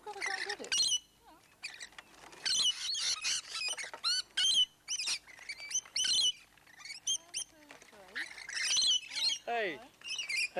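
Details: Close-range rainbow lorikeets at Lane Cove National Park, among hundreds landing on visitors having a drink, one on the camera: shrill, grating squawks in clustered bursts, with a person's voice talking underneath.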